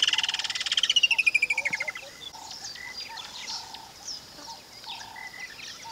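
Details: Woodland kingfisher calling in Mashatu Game Reserve, Tuli Block, Botswana, a hardveld area of rocky outcrops and riverside fever trees; a loud, rapid pulsed trill slides downward over about two seconds, then faint background birds and repeated low hooting notes.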